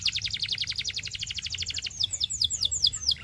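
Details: Belgian canary song for training young birds: a fast, even metallic trill of repeated notes, then a series of slower swooping downslurred whistles, with a faint low background hum.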